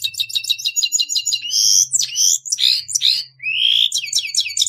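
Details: Grey-headed goldfinch singing a lively, varied phrase: quick repeated twitters, then buzzy drawn notes, rising and falling slurs and a long upward-swept whistle before more rapid twittering.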